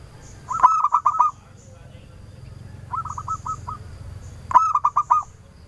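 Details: Local zebra dove singing clearly to draw answers from other doves: bouncing staccato coos that run into a brief rolling trill. Phrases come every two seconds, one softer than the others, with faint high chirps behind.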